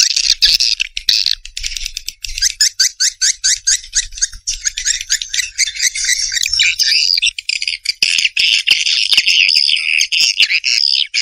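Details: Swiftlet calls: dense chattering twitters, buzzy and high, a fast run of clicking notes early, then a steadier continuous churring chatter to the end.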